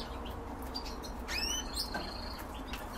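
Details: Canaries kept for breeding: a few quick upward-sweeping whistled notes, sharp and high, packed into about a second, over steady low background hum.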